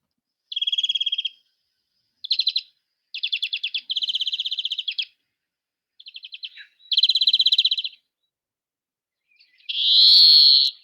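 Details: Greenfinch song replayed to point out its scratchy 'zwee': a series of short, fast, high trills in separate bursts, then a long wheezy buzzing 'zwee' note near the end.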